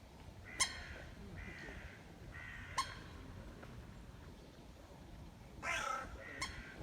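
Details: Grey heron, approached at close range, giving harsh, raspy croaks: several short grating notes spaced about a second apart, then a louder, rougher burst near the end, with sharp clicks and a steady background hiss.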